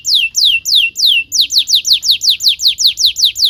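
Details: Canary song used as training material for young canaries: a run of loud, high descending whistled sweeps repeated about three times a second, quickening into a faster series of similar downward slurs.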